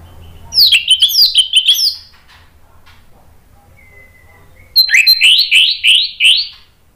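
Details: Orange-headed thrush song played to provoke rival birds into answering: two loud bursts of rapid, slurred whistled notes sliding downward, repeated several times a second, separated by a quiet gap with one faint thin whistle.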